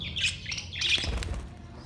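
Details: Budgerigar recorded 22 May 2023, giving two short, harsh, high squawks half a second apart, then low rumbling background noise.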